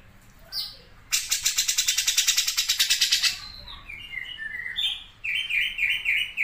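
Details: Grey-cheeked bulbul in full song, with the sharp sewing-machine rattle style known as besetan mesin jahit: a brief high note, then a loud, fast, buzzy two-second rattle, followed by a string of short, rising whistled notes.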